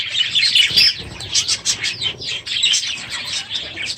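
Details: Many budgerigars in an aviary chatter at once on a morning late in the breeding season: a continuous, busy mix of shrill chirps and rasping warbles with short sharp whistles.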